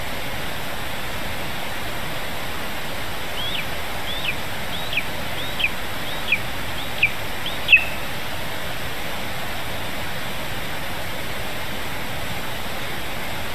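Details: Lesser spotted eagle at a nest in Zemgale, Latvia, late morning of 15 July 2019 as a vole is brought to the nestling: about six thin, high, arched whistled notes, each louder, under rushing wind.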